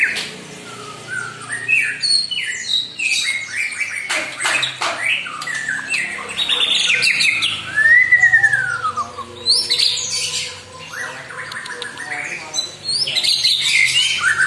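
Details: White-rumped shama singing to provoke a rival: rich mix of harsh squawks, sharp clicks, rising and falling whistled slurs and a long downward-curving whistle, delivered in busy varied bursts.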